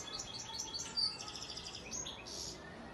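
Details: European goldfinch, a male breeding bird from Antalya, Turkey, recorded in 2018, singing. Quick thin high chirps and tinkling notes run in a loose series, with one brighter accent near the middle and a softer buzzy note at the end.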